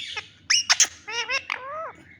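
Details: A new pet green rose-ringed parakeet talks in a squeaky, high, nasal voice: a few quick clipped syllables, then two longer wavering words.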